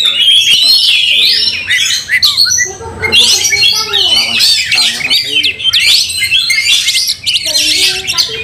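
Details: Angry Oriental magpie-robin in a fight, spreading its tail and provoking other magpie-robins; loud bursts of shrill, scratchy chatter and sweet whistles broken by short pauses, with faint lower notes between phrases.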